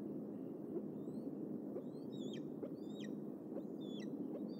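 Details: Evening at the Decorah bald eagle nest, June 29, when two eaglets come back to the nest by Trout Run Creek; sharp, high, descending whistled chips arrive in loose bursts against a broad low rumble of background noise.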